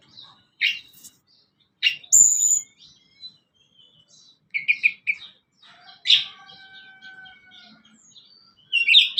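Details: Sunda blue robin (tledekan gunung) song, played as a lure for newly caught and adult birds: separate high chirps and sharp notes with steady thin whistles, spaced by short pauses, ending in a bright rising burst.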